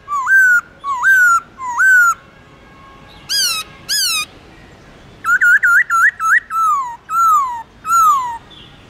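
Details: Varied, vigorous song of a black-throated laughingthrush in forest-voice style: looping whistles, a pair of bright high notes, a rapid rippling trill, then three slow descending slurred whistles.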